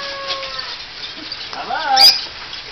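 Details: Parrot at a drive-through zoo park in Mooresville, North Carolina, talking only once its visitor walked away: short voiced, speech-like phrases with bending harmonic tones, a brief sharp high click near the end.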